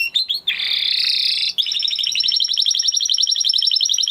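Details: Song of a Spanish Timbrado canary: a few quick opening notes, then a dense, buzzy, sustained roll, followed by a rapid, even series of high bell-like pulses that continues to the end.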